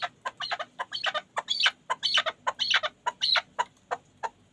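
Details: A Pamir chukar partridge kept as a hunting bird calls in a fast, uneven run of chuk notes mixed with louder, higher, drawn-out cackling phrases, roughly two per second.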